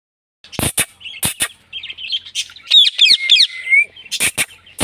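An Indian ringneck parrot gives sharp kissing smacks and scratchy bursts around a run of high, twisting whistled notes that rise and fall quickly.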